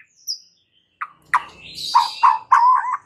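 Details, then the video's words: Captive white-rumped shama giving a few sharp notes followed by rich, warbled whistled phrases, presented as a song to turn stressed birds into eager singers. "PANCINGAN Murai Batu satu ini mampu Atasi Murai STRESS seketika jadi GACOR NGAMUK"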